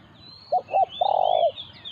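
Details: Spotted dove in a confrontation between a decoy and a wild resident bird: two short hoots, then a long, pulsing, slightly falling coo. Thin high whistles from other birds are heard behind it.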